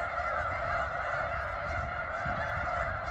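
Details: Many thousands of snow geese calling at McNary National Wildlife Refuge, Washington, a thick, unbroken babble of nasal honking from the whole flock.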